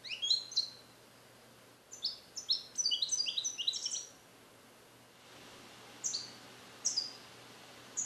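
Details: Caged young male European goldfinch, bred in captivity in 2021 and taught Neapolitan passages, starting to repeat them; a rapid run of high descending slurred notes, then a pause and a few isolated sharp chirps, quiet electrical hum throughout.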